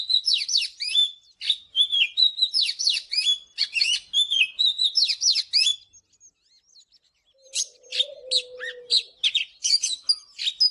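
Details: Long, energetic morning singing from an Oriental magpie-robin, dense rapid whistles and chips in two bursts separated by a brief lull, with one low dove coo in the second half.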